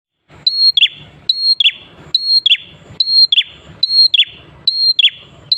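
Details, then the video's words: Prinia in lively, persistent song, used to lure other prinias into singing: a high steady whistled note followed by a quick downward-slurred flourish, repeated a little over once per second. "KICAUAN BURUNG PRENJAK KLAWU/ATAS GACOR"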